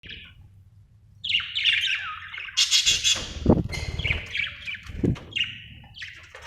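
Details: Budgerigar chirping: rapid warbled and buzzy chatter around mid-high pitch, broken by sharp clicks and low thumps, with faint low background rumble.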